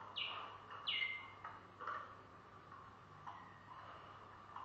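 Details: Malinois Waterslager canary: two loud downward sweeping whistles open, followed by softer, warbled lower notes fading out against a faint hum.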